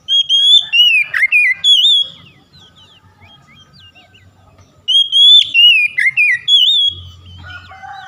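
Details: Oriental magpie-robin song played to get untrained birds singing: a loud whistled phrase of slurred high notes with a dipping swoop, repeated after a pause of about three seconds, with a brief low buzz near the end.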